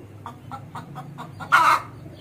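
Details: Aseel hen: a run of six soft, evenly spaced clucks, then one loud harsh squawk, over a steady low mechanical hum.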